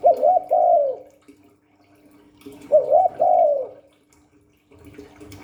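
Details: Spotted dove in the 'Hạp Bổi 38' voice giving two gentle coo phrases about three seconds apart, each a short bent note leading into a long falling coo, then faint rustling over a steady low hum.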